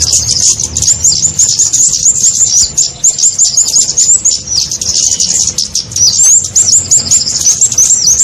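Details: Lure sound for trapping small birds such as the kemade: rapid, sharp high-pitched tweets and short upslurred whistles strung together continuously, bright and piercing throughout.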